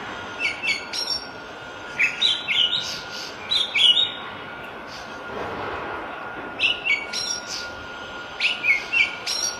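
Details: In the wild, a Javan pied starling gives a lively, irregular chatter of short whistles and squeaky notes in clustered bursts, with a faint hum and a brief noisy rush in the middle.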